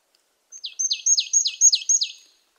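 A marsh tit gives a quick run of six sharp, high notes, each dropping steeply in pitch, about three to four per second. No other sounds are heard.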